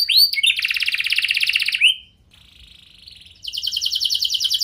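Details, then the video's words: Canary song meant to provoke other canaries into answering: a dense rattling trill, a short quiet whistled tone, then another rapid buzzy trill, high-pitched and bright. "Pancingan Kenari Gacor Lagu Istimewa"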